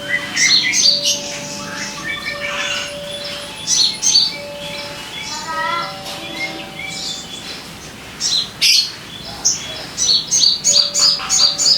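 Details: Crimson sunbird (sogon) song, used as a lure to get caged birds singing readily: sharp high chirps and twittering bursts in quick irregular series, with steady low whistled tones running underneath at intervals.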